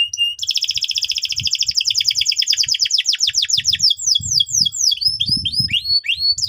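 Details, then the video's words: Canary singing a lure song meant to train young canaries: an opening whistle, then a long, fast, buzzy trill that breaks into quick downward-sweeping notes repeated several times a second. "PANCINGAN BURUNG KENARI GACOR BUAT PAUD BERMENTAL TINGGI"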